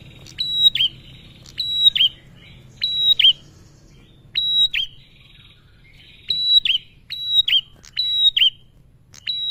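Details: Calls of a male bar-winged prinia, played as a lure to get other prinias singing: loud abrupt high click-and-slur notes repeated in pairs and triplets, separated by brief soft twittering phrases.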